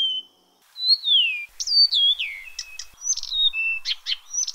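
Blyth's reed warbler sings at night: unhurried, varied phrases of clear slurred whistles mixed with buzzy, clicking notes, each phrase different, with no other sounds.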